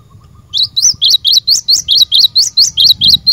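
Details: Cinereous tit, a lure bird for training caged birds, singing a continuous series of about twelve bright, high, slightly rising chirps at a brisk, even pace.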